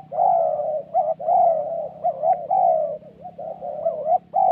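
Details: Spotted dove used in decoy trapping in the wild forests of Vietnam's Central Highlands, giving a 'thổ' style coo. Low, mellow hooting phrases pour out almost without pause, with short rising and wavering notes between longer drawn-out coos.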